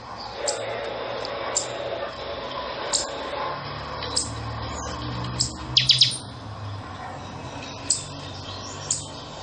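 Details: Buffy-fronted seedeater (pixoxó) in chanchão song: isolated piercing high notes about every second, with a brisk cluster of three ringing notes near the middle. Soft low hum and hiss underneath.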